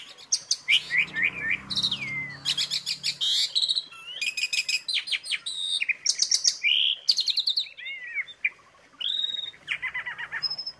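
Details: Asian pied starling singing actively in a tutor recording: a varied, jumbled medley of harsh rasping bursts, sliding whistles and quick chirps, with brief pauses and a faint low hum underneath.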